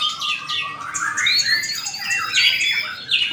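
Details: Caged white-rumped shama (murai batu) competing in a bird-singing contest, a first-place winner, delivering a rich run of whistled and squawky phrases sweeping up and down, with harsh notes and other contest birds overlapping.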